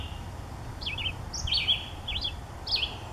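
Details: Nesting chickadee at Daly Point Nature Reserve, May 2015, giving a series of five or six quick, wavy, warbled high notes spaced about half a second apart, with low-pitched ambient rumble underneath.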